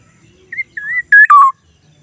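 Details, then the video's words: Black-naped oriole giving a single odd call: a short whistle, a longer wavering whistle, then a loud rasping burst that slides down into a drawn-out falling whistle. "kepodang suara Aneh"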